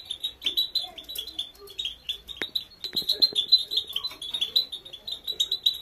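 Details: European goldfinch, female, singing a training song: fast, high, tinkling chirps in an unbroken chatter, briefly broken by a sharp click, with faint lower notes under the twitter.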